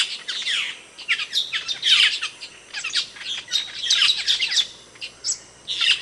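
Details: Asian glossy starling (cucak keling) in Indonesia, a songbird kept as a tutor bird, giving loud, sharp calls: dense bursts of squeaky, chattering notes and harsh squawks, several per second, with brief pauses between runs.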